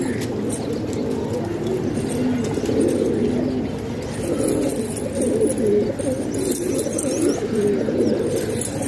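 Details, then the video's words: A flock of kept pigeons in Pakistan makes a continuous low cooing hum, with a few distinct short coos standing out. "Pigeon Sound"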